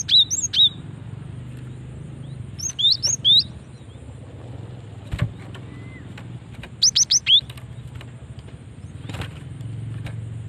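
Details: Lure call of a female cinereous tit: scattered high, thin chirps in short groups of two to four, with a longer rapid burst near the end and a low traffic rumble underneath.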